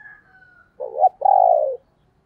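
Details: Female spotted dove in the 'thổ đồng' voice style, played to attract wild males: a faint trailing note, then two loud low coos, the second long and steady.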